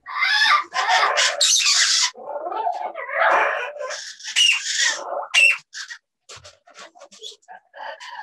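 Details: A pair of parrots vocalizing to each other, possibly with English words. Long loud raspy squawks at first give way to shorter scattered chatters and clicks.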